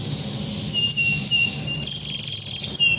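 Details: A canary calling a rival gives thin high whistled notes, then breaks into a brief fast buzzy trill before a final clear whistle. A low hum sits underneath.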